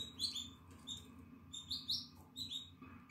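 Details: Nine-day-old Atlantic canary nestling, eyes open and feathers coming in, 14 April 2022: a short run of high, slurred chirps in little clusters, slightly rising then falling, against a faint low room hum.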